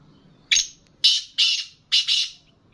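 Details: A black francolin, locally kala teetar, held for sale, delivers a rough, buzzy call of four harsh bursts, the last broken into two parts, with near silence between notes.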